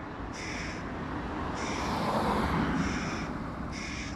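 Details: Loud begging from a young hooded crow perched near its mother as the male parent, a first-time father of three fledglings, feeds another youngster fish; four evenly spaced nasal, harsh cries about a second apart, with steady low-frequency background noise.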